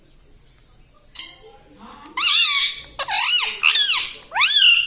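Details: Parrot talking indoors: after soft faint sounds, loud nasal speech-like phrases with swooping, wavering pitch come in three bursts, strongly mimicking human words.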